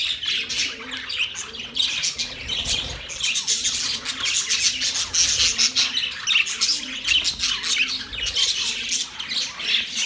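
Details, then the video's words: Budgerigars chirping: a dense, continuous chatter of high, scratchy chirps and squawks from several birds, with faint low tones pulsing steadily underneath. "Budgies chirping sounds"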